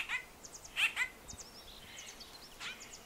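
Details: White-winged grosbeak (Mycerobas carnipes), call.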